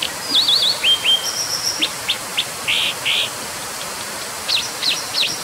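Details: Brown dipper in full song: a wavering zigzag trill, clipped chips, a thin high whistle and broad buzzy notes, ending with quick sharp notes. The phrase is dense and varied over a rushing background.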